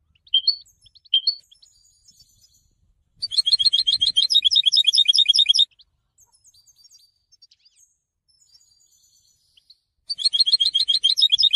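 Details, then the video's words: Several liquid call notes from a European goldfinch lead into a long, rapid burst of bright tinkling trills, then a pause and another twittering phrase. "Symphony in song - super goldfinch singing"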